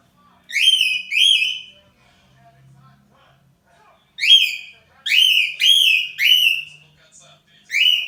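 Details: Cockatiel morning song, the parrot's wake-up alarm: clear high whistles, each rising then levelling off, sung in pairs and a run of four with short pauses between, indoors with faint low background sounds.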